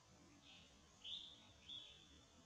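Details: A Japanese white-eye (Zosterops japonicus) at Zhongshan spillway, 25 December 2019, gives three thin, high, short buzzy calls about half a second apart over quiet low background hiss. Warbling white-eye.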